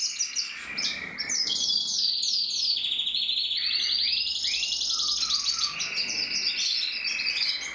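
A Gloster canary sings a long, rapid stream of bright trills and rolling tours, with sweeping whistled notes, continuous throughout.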